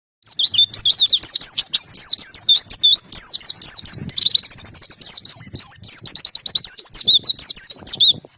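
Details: Oriental white-eye in vigorous, nonstop song: a rapid stream of high, thin chirps and twittering notes, swooping up and down in quick succession with hardly a pause over about eight seconds.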